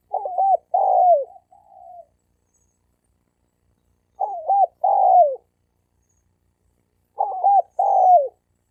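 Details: Wild male spotted doves in a fighting challenge, one male cooing to provoke another. Three low cooing phrases, each a quick stuttered double note and then a longer coo with a falling tail, repeat about every three seconds against a quiet background.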